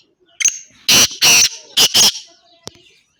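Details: Black francolin calling on 17 July 2025: a loud, harsh, grating phrase of one short note, two longer rasping notes and two shorter ones, followed by a faint click.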